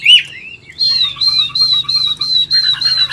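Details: Old wild-caught Chinese hwamei kept in a cage in Vietnam, 'forest voice' singer: after a quick upward slur, it holds a long series of steady, high, evenly spaced whistled notes.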